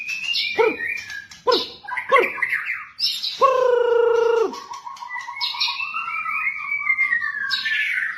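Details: Rich, varied white-rumped shama song for training captive birds: sharp chirps, a strong steady whistled note, then a fast trill and a long rising, warbling phrase.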